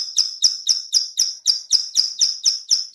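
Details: Steady series of sharp high clicks from a female bar-winged prinia, a call said to draw other birds in, each note crisp and evenly spaced about four per second throughout.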